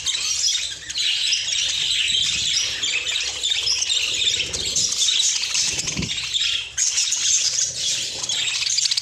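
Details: Flock of caged budgerigars reacting to fresh corn in their cage, an unbroken wall of shrill chirps, warbles and chatter, with a short dip and a soft knock partway through.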